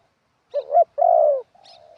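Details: Spotted dove used as a ground decoy, singing in a wild-style phrasing with stressed and supporting notes: a short hoarse double coo, a long drawn-out throaty coo falling slightly at the end, then a softer trailing coo.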